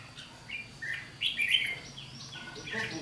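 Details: Red-whiskered bulbul in a trap contest, recorded 7 July 2016, giving a ché song to intimidate a decoy: quick, clear whistled phrases rising and falling, several short bursts close together, men talking softly.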